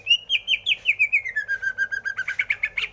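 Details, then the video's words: Greater green leafbird song: a rapid series of clear whistled notes, first descending in steps from high to lower pitch, then steady repeated chirps rising again toward the end, about six notes per second. "Suara Burung Cucak Hijau"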